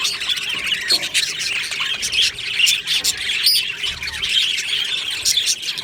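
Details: Aviary budgerigars, 22 June 2025, mixing harsh short squawks with high chirps and warbled chatter from a crowded colony, the louder calls standing out roughly once a second.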